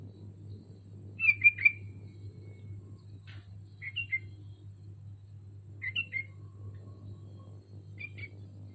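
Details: Caged sooty-headed bulbul hung on a pole repeats short, liquid two- and three-note phrases about every two seconds, softer toward the end, against a low background hum.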